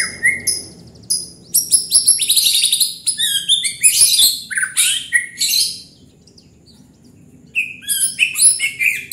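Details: White-rumped shama delivering dense, high, rapid song: chattering trills and whistled slurs packed tightly for several seconds, a quiet pause, then another burst of sharp high notes.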